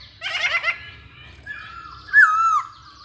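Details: Masked laughingthrush singing as a lure for other birds: an opening buzzy, vibrating chatter, a pause, then a long clear whistle that swells into a loud falling slur.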